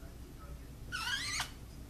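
A macaw gives one half-second nasal squawk, a wavering, rich-toned note that dips and ends in a harsh rasp, against a quiet indoor background.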